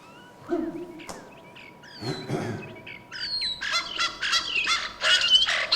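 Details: A single European starling sings a rambling medley of slurred whistles, rising and falling glides, clicks and harsh buzzy bursts, one phrase quickly following another.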